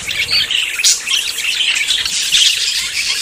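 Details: Budgerigars courting and about to breed: a dense, continuous high chattering warble of many overlapping squeaks and chirps, with brief louder squawks, all in a busy steady stream.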